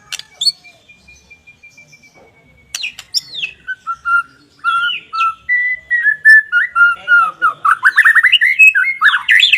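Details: White-rumped shama song collection for training and stimulating lazy captive shamas: varied whistles, a long thin steady note, then rising and falling whistled phrases building into a dense, rapid, loud chattering run of notes at the end.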